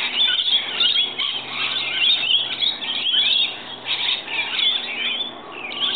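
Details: Rainbow lorikeets arriving in the morning to be fed, a flock of them: dense overlapping screechy chattering and shrill squeals, continuous with no pauses, loud throughout.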